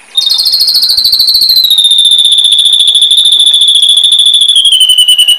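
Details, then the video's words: Bird song used as a master recording for training competition birds: a long, fast, even trill of high buzzy pulses that slowly drifts lower in pitch over five seconds, with no other sounds. "SUARA BURUNG MASTERAN BURUNG LOMBA"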